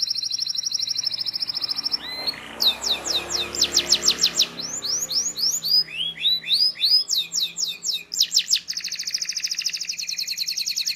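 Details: Canary singing a training song for young birds: a sustained high trill, then bursts of sharp descending whistles and sweeping phrases, ending in a rolling trill. Low music sounds faintly underneath during the early phrases.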